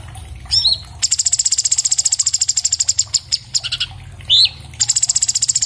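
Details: Orange-bellied leafbird (Chloropsis hardwickii), caged, recorded by phone, delivers a rapid, dense run of high, evenly repeated chipping notes framed by two short rising whistles, over a faint low hum.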